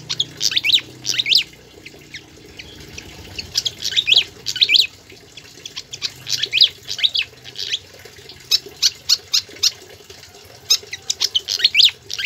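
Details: Pied fantail in full song for use as tutor recording: phrases of rapid high squeaky notes and downslurred whistles, delivered in bursts separated by brief pauses, repeated over about twelve seconds against faint low hum.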